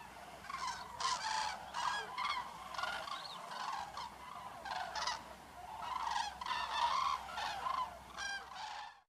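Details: Common cranes fly at sunset near Negast toward the Bodden to roost for the night. Several birds give loud, rolling, trumpeting calls over one another in overlapping bursts throughout.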